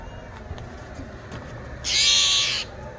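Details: A young Steller's jay that fell out of its nest, angry on its first day in rescue, gives one harsh, hissing rasp, broad and noisy, lasting under a second, against a faint low background hum.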